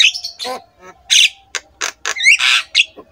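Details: Black-winged myna master song meant to coax idle mynas into singing: raspy squawks, clicks and rising whistled notes in quick irregular bursts, with a low steady hum underneath.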